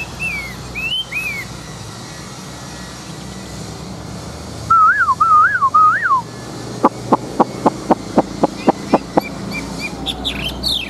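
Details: Large-bodied, old wild-caught Chinese hwamei kept as a fighting bird, praised for its wild-style voice: scattered clear whistled phrases, a warbled run of rising and falling notes, then a quick series of about ten sharp clicking notes.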